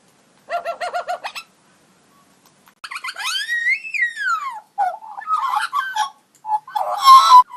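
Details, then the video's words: Magpie making unusual robot-like sounds: a pulsed warbling burst, then a long rising and falling whistle with rich overtones, followed by scratchy chattering notes and a harsh buzzy ending. "Pigarotti Making Unusual Sounds"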